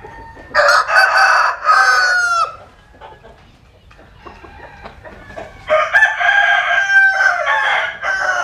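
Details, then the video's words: Sun-basking rooster in rural western Vietnam. One loud raspy crow ends in a downward slur. A few seconds of soft scratchy noises follow, then a second long, bright, multi-note crow. "Nghe Gà Gáy"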